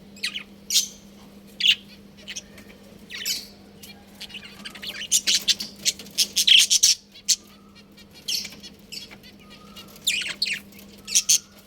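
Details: Budgie colony kept as pets: loud, sharp, scratchy chirps in clustered bursts, some squeaky and buzzy, with quiet pauses between groups and a faint constant hum.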